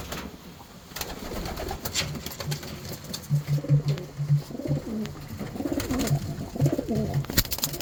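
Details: Racing homer pigeon cooing: low, throaty, rolling coos come in a run of short pulses for several seconds, with sharp clicks and rustling throughout.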